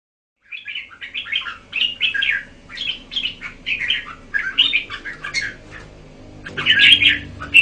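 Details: Red-whiskered bulbul singing a long run of short, bright warbled phrases, one every half second or so, with a louder, richer burst near the end over a quiet indoor hum.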